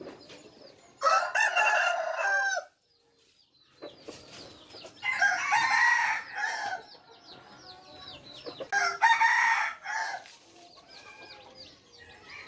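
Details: Three crows from F3-generation red junglefowl, each a rough, multi-part phrase of over a second, spaced about four seconds apart. Faint chirping of small birds fills the pauses.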